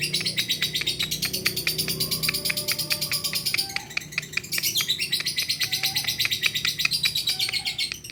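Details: A lovebird chatters in reply to another lovebird, producing a long, fast stream of harsh, high chirps at a steady pace, with brief sustained tones in the background and a low hum.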